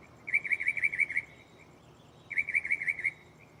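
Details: Night-singing mockingbird perched in a tree beside the recorder delivers two matching bursts of rapid warbled notes, about seven each, with a quiet gap between them.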